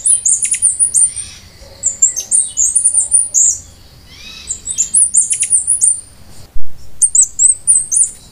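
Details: Song of the Costa Rican brushfinch, a bird native to Costa Rica and Panama: very high-pitched, slurred whistled phrases in quick runs, repeated in bursts with brief gaps.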